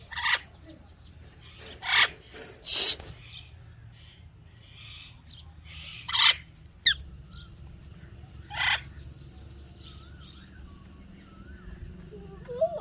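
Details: Ringneck parrot letting out loud harsh squawks, three close together early and more spaced later, followed by softer wavering whistled notes and a constant high electrical whine.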